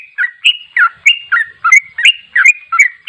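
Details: Ropel-style song of a sooty-headed bulbul: quick, slurred chirps rising and falling, repeated roughly three times a second in a steady stream, loud and clear.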